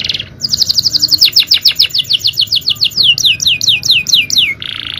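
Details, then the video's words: Male canary singing powerful cengkok-style training song: a buzzy opening, then a steady series of about twenty falling whistled notes, slowing toward the end, closing in a buzzy roll. "Aksi Kenari||Cengkok Jawara||Full Power Canary Action||Cengkok Champion"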